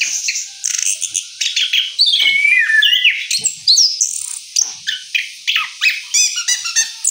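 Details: Orange-headed thrush after moult, singing a rolling song: repeated bursts of high chirps and swooping whistles, roughly three notes per second, with short gaps between phrases.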